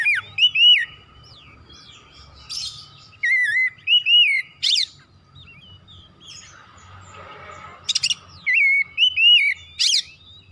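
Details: Energetic kacer (Oriental magpie-robin) song for stimulating other birds: repeated wavy whistled phrases alternating with scratchy high buzzes, delivered in bursts every couple of seconds, with a soft rushing noise and steady hum between.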